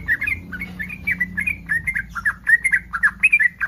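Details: Rapid bubbling chatter from a yellow-vented bulbul in breeding condition, meant to prompt other bulbuls to respond. Short gurgling notes tumble one after another in a lively, even stream.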